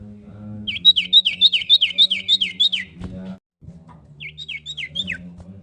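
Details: Calling female common iora producing a fast, even string of about nine sharp downslurred whistles, a brief thump and gap, then four more falling notes, all over a low steady hum.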